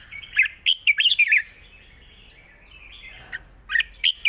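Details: Red-whiskered bulbul in a long-phrased, light-voiced wild song: a rapid tumble of bright, rolling whistles, a quiet gap of about two seconds, then a few more sharp whistled notes.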